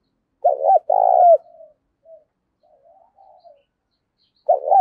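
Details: Fierce fight-inciting coo from a decoy spotted dove drawing in wild birds, 'thổ' voice: one complete phrase of quick paired notes and a rolling trilled coo, faint soft notes after, and the next phrase beginning at the end.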